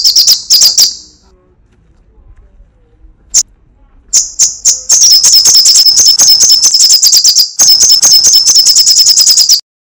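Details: Sunbird giving its crecetan chattering song: a few high, sharp notes, a pause, then a fast run of thin high ticks repeated about three times a second for several seconds.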